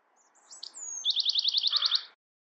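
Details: Bewick's wren delivering one song phrase: soft high introductory notes, a drawn-out falling whistle, then a rapid, even, buzzy trill of roughly ten pulses ending cleanly.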